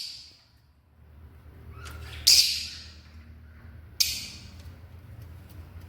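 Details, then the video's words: African lovebirds giving two sharp, harsh screeches spaced about two seconds apart, with a faint low hum in the background between calls. "The Vibrant Sounds of African Love Birds"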